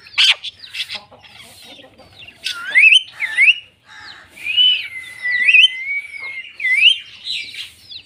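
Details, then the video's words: Indian ringneck (rose-ringed) parakeet greeting a new baby ringneck: high, warbling, speech-like chatter with rising and falling whistled slides, broken by sharp squawks, well above a quiet background. "Talking Ringneck Parrot Greeting Baby Parrot"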